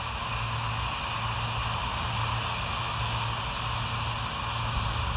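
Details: Steady broadband hiss over a low, even electrical hum, with no animal calls heard.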